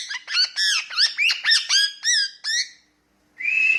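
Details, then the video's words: Pet parrot talking and calling: a quick run of about ten harsh, nasal syllables with bending pitch, then a short pause and one longer rasping squawk. "Talking Parrot"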